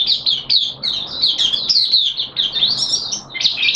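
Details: Oriental white-eye in a cage, singing 13 September 2022 while on deworming treatment; an unbroken, lively, very high warble of quickly tumbling sweet notes, loud and close throughout.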